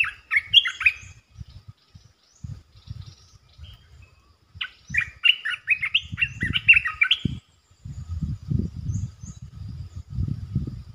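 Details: Territorial red-eyed bulbul calls in two bouts of rapid, gurgling chirped notes, the second longer, over steady low rumbling background noise and faint distant high chirps.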